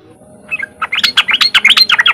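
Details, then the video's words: Lure recording of a sooty-headed bulbul's riwik song, meant to stimulate untrained bulbuls to join in: a rapid, accelerating string of sharp chirping notes that jump up and down in pitch. "pancingan trucukan bahan biar cepat bunyi riwik"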